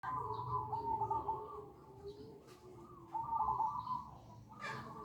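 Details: Zebra dove, perkutut of Bangkok type, lure call meant to draw other doves to respond; rolling, trilled coos in two bursts separated by a quieter gap, with a steady low hum underneath.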